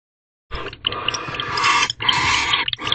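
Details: Barn owl pair, female and male, mating and bonding inside an owl box at 2:16 am on the 48th night, 4/6/23; after half a second of silence come rough, hissing broadband screeches in two long bursts with a short break.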